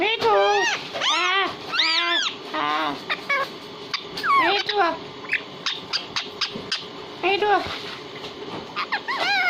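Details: Hindi-speaking pet parrot talking: several drawn-out, voice-like harmonic phrases that bend up and down, followed by a scatter of short clicks and ticks, with a few more wavering syllables near the end.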